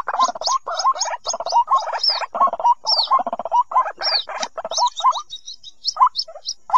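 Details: Recorded white-breasted waterhen chicks used for luring: a dense, busy chorus of rising mid-pitched notes and high thin chirps, thinning out toward the end with a few isolated calls.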